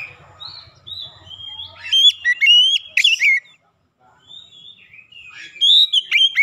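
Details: Oriental magpie-robin song used as a lure to make silent magpie-robins start singing: clear whistled phrases, sliding and warbling notes with sharp upward flicks, broken by a short pause.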